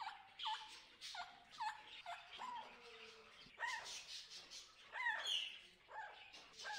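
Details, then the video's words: Wild macaws calling in the Amazon jungle rainforest, said to be hungry: several harsh, grating squawks, some rising or falling in pitch, overlapping irregularly from more than one bird. "hungry Wild Macaws in the Amazon Jungle Rainforest Nature Sounds"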